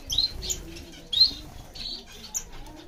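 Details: Diamond firetail finch giving two sharp, high chirps about a second apart, followed by fainter tweets and a brief bright note near the end.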